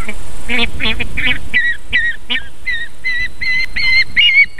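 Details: Female osprey feeding chicks at a nest in Võrumaa, South Estonia, 31 July 2021 at 19:51, near a fish farm and river; a few harsher, lower notes open, then clear whistled chirps follow in a quick, uneven series.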